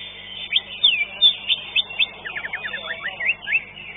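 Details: Green leafbird, a caged contestant placed fifth at an Indonesian bird-singing contest, gives rapid high whistled notes, first slurred upward phrases, then a quick chattering run of short downslurred notes, with faint arena noise underneath.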